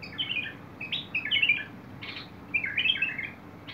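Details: Bulbul singing, recorded 21 August 2022: short warbled, bubbling phrases that rise and fall, three bursts within four seconds separated by a brief harsh note, over a low steady hum.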